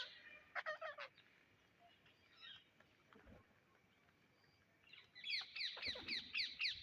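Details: Indian ringneck parrot giving a brief harsh squawk, then a fast run of sharp, screechy notes, about four each second, over faint background hiss.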